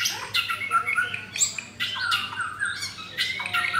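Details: Caged white-rumped shama, one of four offered, singing a varied phrase of rich whistled and squawky notes that jump between low and high pitches in short bursts, with brief gaps between phrases; indoor setting, 9 June.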